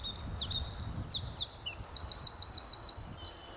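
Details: Wren, wild, singing at Sandy, Bedfordshire, on an early May morning in 2012: a loud burst of shrill, high twitters followed by a rapid rattling trill, ending abruptly after about three seconds amid faint birdsong.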